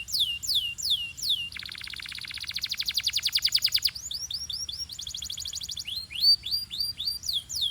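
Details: Belgian canary song for warming up canaries and stimulating females, with fast downslurred whistles giving way to a long rapid rattling trill, then rolling sweeps, a second trill and rising chirps.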